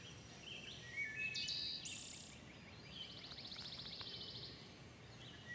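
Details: Wood thrush singing in a dawn chorus: short whistled introductory notes are followed by ringing, fluty phrases and a rapid, buzzy high trill. Other birds chip faintly over low background hiss.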